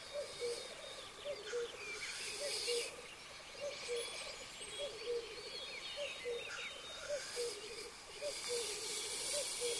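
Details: Black grouse cocks at a 2023 lek arena: faint short cooing notes repeat about once a second over a steady rushing hiss, with louder hissing bursts near the start and end.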